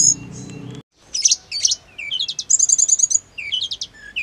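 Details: Hill blue flycatcher singing to provoke caged birds into replying: after a brief low hum and a short silence, loud high squeaky notes give way to a quick buzzy trill and repeated descending whistled chirps.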